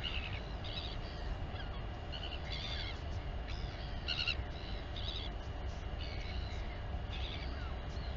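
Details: Royal albatross mother feeding her chick at the Taiaroa Head colony near Dunedin, New Zealand, gives short, nasal, harmonic squeaks in quick bursts about once a second, over a steady roar of strong wind.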